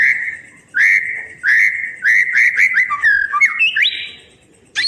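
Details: White-rumped shama song to tutor birds that stopped singing: loud clear whistles repeated in short bursts with pauses, each sliding slightly, then rising to higher notes before silence and a final sharp phrase.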